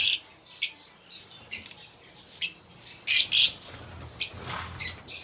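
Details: Lovebirds kept as pets, giving a series of shrill, harsh squawks and chirps in short bursts, roughly one or two every half second, with brief quiet gaps between calls and a faint low background hum.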